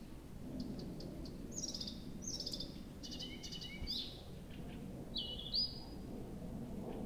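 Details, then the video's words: Nightingale in full night song at Abramtsevo, early June, from 23:00 on 6 June 2021: varied high whistles, buzzy trills and descending slurs in quick succession, with steady low background noise. "Соловей поёт всю ночь"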